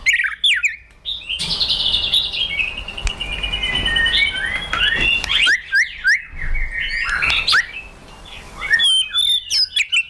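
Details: White-rumped shama provoked into fighting song: bursts of sharp, high, slurred whistles and chattering notes separated by short pauses, with a long noisy stretch early on.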